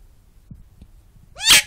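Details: Indoor pet talking bird: soft faint taps for over a second, then one sudden loud, raspy shriek with rising tonal traces, ending abruptly.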